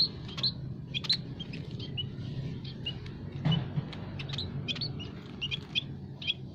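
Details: Munias of several kinds, emprit kaji, peking and jawa, kept in an aviary and calling to lure wild birds: a busy run of sharp high tweets, clustered at the start and end, over a low rumble.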